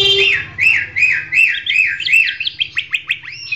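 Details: Greater green leafbird of champion quality, recorded as a training song for other birds. Loud, repeated, arching whistled phrases come at a steady pace, then switch to a quick series of sharp descending notes. A faint low hum sits underneath.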